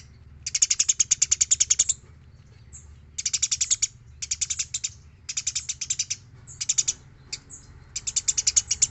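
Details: Talkative Eurasian tree sparrow on a clean training recording for other birds: quick metallic chirp series in bursts of one to one and a half seconds, separated by short pauses, over a faint low hum.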